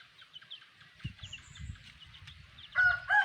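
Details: Black hen with chicks: soft high peeps from the chicks fill the background, then the hen gives two loud, harsh, nasal clucks at the end.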